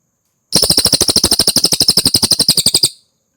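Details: Cililin song kept as training material for competition songbirds: a single burst of rapid, sharp, high chattering notes repeated about ten times a second for two and a half seconds, then silence.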